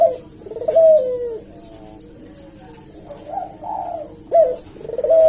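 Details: Barbary dove lure call: a falling purred coo, a quieter warbled coo, then a sharp rising note running into a rolling coo, with soft background hum.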